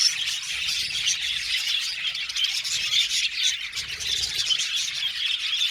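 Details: Aviary-kept Australian budgerigars chirping as a flock, continuous scratchy high-pitched twittering that swells and dips in loudness.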